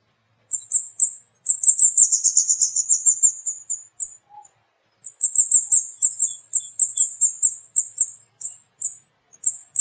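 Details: Lively flowerpecker (cabai bird) uttering strings of sharp, very high 'cit' notes, some bursts quickened into a twittering trill, separated by brief silences, with a soft low whistle once.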